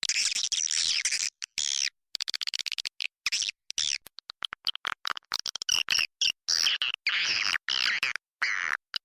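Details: Lure sound recorded in a swiftlet house that attracted birds: sharp rising and falling chirps mixed with fast clicking trains and bursts of shrill twittering, irregularly spaced throughout.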